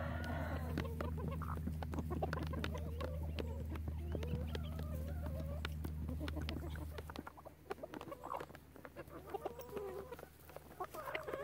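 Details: Relaxed chicken flock clucking softly: overlapping low murmured clucks and short rising notes from several hens, over a steady low electrical hum that fades after about seven seconds, with scattered clicks and scratching.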